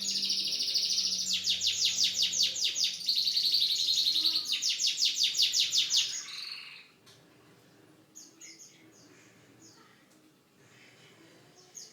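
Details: Canary singing a unique song with a long, loud, evenly pulsed trill lasting about six seconds, then a quieter stretch of sparse high chirps.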